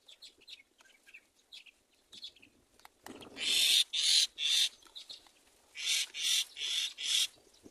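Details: Baby myna chicks in a nest waiting for their mother to feed them: soft scattered chirps at first, then loud harsh hissing rasps repeated in quick bursts, about two per second.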